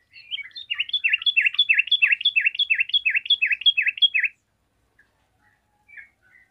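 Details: Yellow-vented bulbul in song, answered by other bulbuls; about a dozen emphatic down-up notes repeated rapidly and steadily for around four seconds, followed by a few soft distant chirps in a quiet setting.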